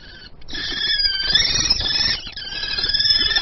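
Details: Peregrine falcons at their nest in Théding, France, on 28 April 2020, during a prey exchange: a continuous harsh, wailing call with stacked high overtones, swelling and dipping in loudness over three seconds, with faint rustling beneath.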